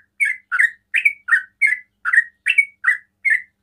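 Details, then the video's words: Nine rapid, full-toned chirps from a sooty-headed bulbul in ropel style, a song said to make other bulbuls start calling, each note falling slightly and evenly spaced. "TRUCUKAN ROPEL PANDAI BIKIN TRUCUKAN LAIN TERPANCING BUNYI"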